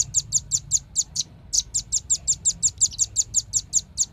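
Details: Velvet-fronted nuthatch calling in a bright lure recording: a long rapid string of high, sharp chit notes with one brief pause, some notes louder and harsher, over faint low hum.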